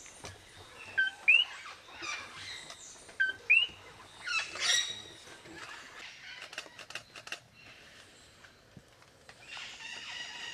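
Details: Puerto Rican parrots at a release into Río Abajo State Forest, Puerto Rico, on 21 January 2015, one perched on the top of the cage, give loud, harsh squawking calls with a few sharp rising notes in irregular bursts; clicks and rustling are heard between.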